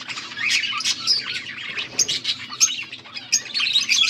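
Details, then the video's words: Budgies chattering, August 14, 2024: continuous overlapping high chirps, scratchy warbles and short clear squeaks from more than one bird, with a constant low hum beneath. "Budgies sounds for lonely birds birds chirping sounds"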